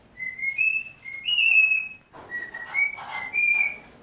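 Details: A pet cockatiel that loves to whistle little tunes, recorded practising while its owner was out of the room; it whistles a short tune of clear, sliding notes, rising and holding steady in phrases.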